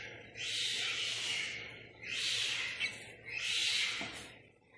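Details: Captive boat-billed heron chicks at Prague Zoo, Czech Republic, hatched that day and four days earlier, checked by keepers: three long, harsh, breathy hisses, evenly spaced about every one and a half seconds.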